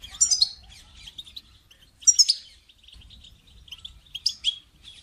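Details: European goldfinch call used to stimulate a caged goldfinch's song: three loud, bright twittering bursts roughly every two seconds, linked by softer rapid tinkling notes.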